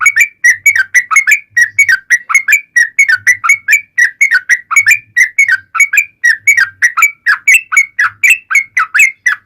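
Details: Yellow-vented bulbul, lure recording of its long ropel song for drawing replies from bulbuls: nearly ten seconds of nonstop quick liquid notes, about two per second clusters, with intermittent low electrical hum.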